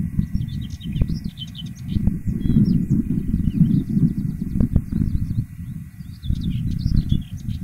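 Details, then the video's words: Wild Common whitethroat in song: two bursts of fast, scratchy, jumbled high notes, one at the start and one near the end, with loud low rumbling noise throughout and a few sharp knocks. "звонко поющей птахой(серая славка)"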